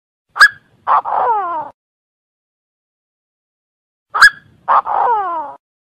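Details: Francolin from Cambodia: a short piercing note, then a rough burst and a long descending, grating wail. The sequence repeats once after about four seconds of silence.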